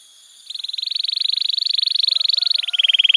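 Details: Canary song meant to stimulate silent canaries: one long, evenly pulsed trill of about four notes per second-fraction, steady in pitch, dropping slightly near the end.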